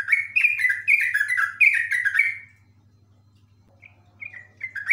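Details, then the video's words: Yellow-vented bulbul pouring out a loud, fast ropel run of liquid, descending notes for over two seconds, followed by a quiet gap and softer short notes; low hum behind. "trucuk ropel panjang super komplit"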